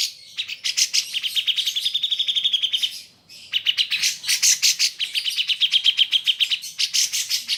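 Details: Grey-cheeked bulbul (cucak jenggot), a recording played to train pet birds: fast, buzzy chattering trills of high notes in two long runs separated by a short gap, clean with no background noise.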